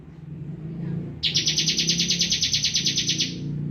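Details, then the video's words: After a moment of low humming background, a bar-winged prinia launches into a loud, rapid pulsed buzzing trill of about two seconds, delivered in continuous 'full bren' style. "ciblek kristal full bren"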